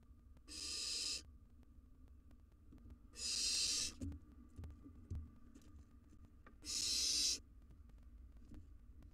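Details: Three loud, rasping hisses spaced about three seconds apart from a wild barn owl nestling at its nest box, with faint thumps between them.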